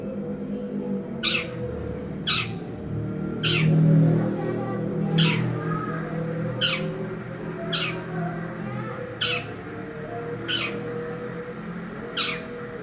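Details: Long-tailed shrike, or cendet, used as a lure: harsh, rasping single calls repeated about every one to one and a half seconds, over a low steady hum.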